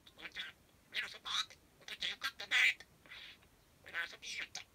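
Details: Pet parakeet talking in imitated human words, linking them into sentence-like phrases on its own; a steady stream of bright, squeaky syllables with brief pauses.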